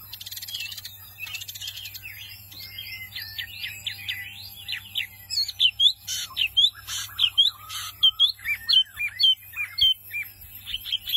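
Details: A white-eye, known locally as wambi mini, sings vigorously. Rapid high chirps and twittering notes start as a jumble, then settle into sharp rising and falling whistles repeated about once a second, over a faint low electrical hum.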